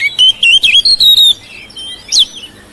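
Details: Oriental magpie-robin kept in a home, singing to stimulate silent birds: a quick string of clear whistled notes with buzzy edges, a short lull, then one sharp high note.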